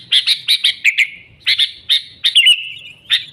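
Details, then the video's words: Sooty-headed bulbul song meant to attract wild birds to a trap: a rapid series of bright, bubbly chirps, a pause, then spaced chirps and a short trilled whistle. "Suara Burung Kutilang Gacor ASLI Tanpa isian, Ampuh untuk Pikat Kutilang bikin kutilang Ribut gacor"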